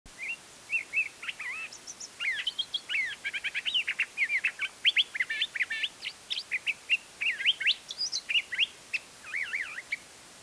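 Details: Curve-billed Thrasher singing in spring in Embudito Canyon, Sandia Mountains foothills, eastern edge of Albuquerque, New Mexico, March 31, 2010, about 9:30 am: a long, varied run of whistled and warbled phrases, quick rising and falling notes, faint background hiss.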